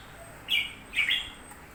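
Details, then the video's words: Newly bought red-whiskered bulbul giving two short, bright chirped notes about half a second apart, the second slightly longer and fuller, against a low steady background hiss. "ฟังเสียงนกกรงหัวจุก พึ่งซื้อมาใหม่"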